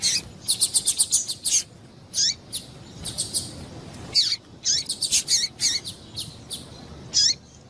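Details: Female double-collared seedeater call used to stimulate males into singing; a series of short high chirps with downward-sweeping notes, in bursts separated by pauses, over low background hiss.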